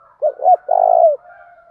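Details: Lure spotted dove in the thổ pha đồng calling style, cooing to incite fighting. A single close phrase: two short rounded notes, then a long rolling coo sliding down, over faint background cooing.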